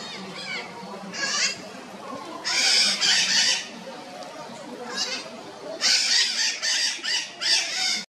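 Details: Red-shouldered macaws, called maracanãs, in bright light: repeated harsh, grating squawks, some in quick doubled bursts, louder runs around three seconds and again from six seconds on, with a low steady hum beneath.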